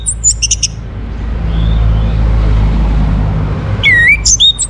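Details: Orange-headed thrush song meant to prompt other birds into singing: loud, sharp, high whistled phrases open and close the recording. A quiet stretch of low rumbling noise lies between them.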